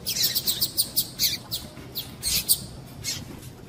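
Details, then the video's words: Female double-collared seedeater calling to excite males for singing contests; a fast even series of high chirps, roughly five per second, then a louder cluster and fading notes. "PIADO DE FÊMEA DE PAPA CAPIM PARA DEIXAR SEU PAPA-CAPIM DOIDO"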